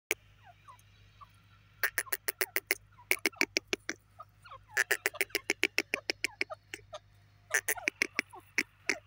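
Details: Grey francolin (teetar) calling: loud, harsh, clipped notes in rapid bursts, about three per second, with pauses between the series and faint chirps from other birds in the gaps.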